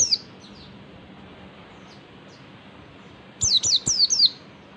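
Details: Oriental white-eye (pleci) ngalas song, played as a lure so other white-eyes respond and sing. Faint scattered high chirps over quiet hiss, then a quick burst of about four loud, sharp, high downslurred notes.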